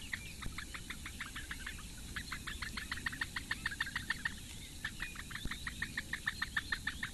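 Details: During a morning feeding on 15 May 2017, four Eurasian bittern chicks call from their reedbed nest at Lake Engure, Latvia, where only the female feeds them. They give fast, evenly spaced ticking series with short pauses, about three notes each second.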